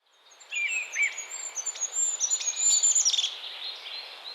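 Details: A Goldcrest in Estonia sings a very high, thin, rapid string of notes, wavering and ending in a quick flourish, with fainter lower chirps beneath.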